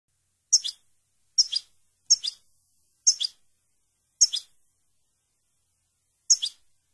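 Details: Mutation European goldfinch calling: six short, sharp, high falling chirps spaced about a second apart, each with a slight second syllable, in an otherwise quiet setting.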